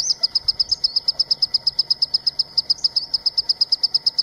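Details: Green-tailed Sunbird (Aethopyga nipalensis) call: a fast run of high, thin chips, about six per second, steady throughout, over a faint, lower hum.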